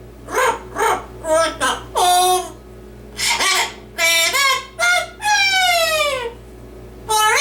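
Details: Pet yellow-naped amazon parrot indoors, singing its own twist on 'Oh Lord It's Hard To Be Humble' as part of its usual skit. Humanlike sung syllables come in bursts, with some drawn-out, wavering notes. A steady low hum runs underneath.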